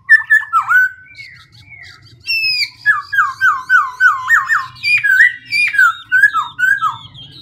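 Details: Black-throated laughingthrush singing with constant changes of voice: bright whistled notes, then a rapid string of about six descending, bouncing whistles, followed by more varied rising and falling phrases, all clear over a faint low hum.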